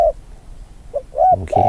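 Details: Newly trained decoy spotted dove cooing in the field; short low coos, a brief one, a pause, then two more, with a louder rough rumbling noise near the end.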